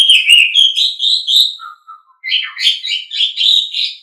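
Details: Asian pied starling (jalak suren) tutor song for pet birds: a fast, continuous run of loud whistled and chattering notes, broken by a few soft low whistles before another rapid jumbled phrase.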